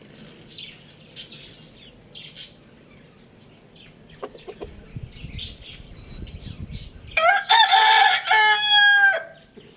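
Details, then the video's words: A rooster kept at home crows loudly: one long, harsh, harmonic-rich crow lasting about two seconds near the end, preceded by a few short clucks, with small birds chirping softly in the background. "Adorable Rooster Crowing Sound Effect"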